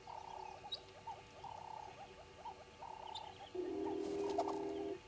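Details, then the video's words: Several red-billed hornbills at Djuma, dawn 05:34, 10/02/19, utter bursts of quick clucking notes roughly every second, then a sustained low buzzing drone takes over. "Red-billed Hornbills"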